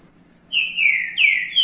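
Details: Green-winged saltator in the boi repicado song style giving two loud descending whistled notes in quick succession, then the start of a third, with a low hum in the background.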